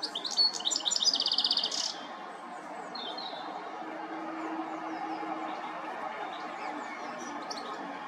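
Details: Recorded on a Nikon P1000, a European goldfinch delivers a brief twittering phrase of high tinkling notes and a quick trill, then falls silent, leaving steady noise with faint distant twitters.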